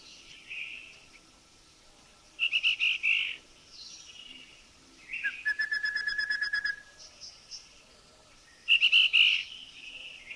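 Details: Rufous-fronted Babbler, recorded in a Thai national park (Khao Yai, Doi Inthanon, Doi Suthep-Pui or Chae Son), giving its grating, churring call in sub-second bursts, then a fast run of hooting whistle notes, with faint background birdsong.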